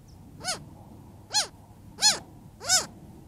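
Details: A young Cooper's hawk, an adolescent at a desert watering hole in Tucson, Arizona during hot weather, begs from its mother with four harsh, whining, rise-and-fall squeals about every three quarters of a second; quiet background.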